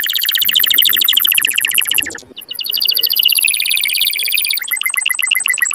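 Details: Canary song aimed at prompting mating: a rapid rolling trill, a short pause, a second high trill, then a slower tour of separate clipped notes.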